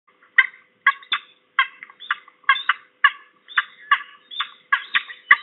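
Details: Peregrine falcon at Trzebież forest district, Poland, on a short visit, 21 November 2022: harsh, grating kek notes repeated about twice a second in short clusters, with a quiet background.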